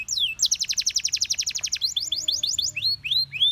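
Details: Gloster canary song meant to coax companion canaries into singing: a rapid rolling trill of sharp high notes, shifting to slower separate upslurred whistles, with faint low background hum.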